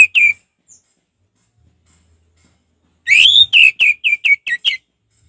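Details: Orange-headed thrush, relaxed ngeplong style: a pair of whistled notes, a pause, then a quick descending series of about eight short clear whistles.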